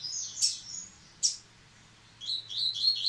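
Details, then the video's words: Double-collared seedeater singing in the Baiano song style, returning to song after its moult: two high, sharp chirps with a slurred note, a pause, then a quick run of bright rising twittering notes at the end over a faint low hum. "Coleiro Baiano Caetano voltando a cantar após muda!!!"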